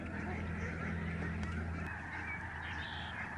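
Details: Lesser Snow Geese in a large flying flock, Reifel Migratory Bird Sanctuary, Canada, November 2011. Massed honking fills the air in a constant chorus over a low engine-like hum.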